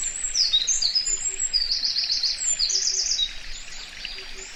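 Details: Binaural recording of a Eurasian wren at Karuizawa Wild Bird Forest, Nagano, Japan, May 2019: energetic high-pitched song of quick notes and two rippling trills, fading toward the end, with faint low double hoots in the background.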